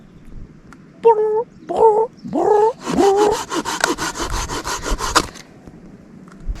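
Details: Sandhill cranes in the Wyoming mountains give four loud, rolling, slightly wavering calls in quick succession, heard at camp while a hand saw rasps through firewood over the later calls.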